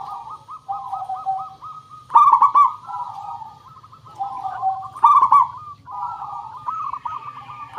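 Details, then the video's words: Local zebra dove singing, used to coax other birds to respond: evenly spaced soft coos, then two loud purring bursts about three seconds apart, each followed by a descending bubbly tail. "Suara Pancingan Burung Perkutut Pikat Paling Bagus Supaya Bunyi"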